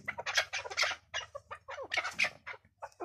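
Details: Partridge calls in a hunting context: irregular harsh, clucking bursts of several notes with short pauses between, over a faint low hum.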